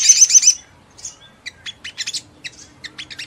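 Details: Ruby-cheeked sunbird (sogon) singing to provoke other sunbirds into vigorous song with wing-fluttering; a dense, very high trilled burst opens, then sharp separate chips and short twitters follow in quick irregular succession.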